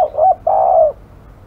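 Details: Aggressive spotted dove cooing. A clipped short note is followed by one long, steady, rolling coo that drops slightly at the end.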